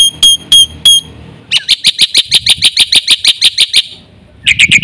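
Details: Vigorous full isian singing by a Black-winged myna: three ringing whistled notes, then a long fast train of grating, buzzy notes, a short pause, and another harsh burst.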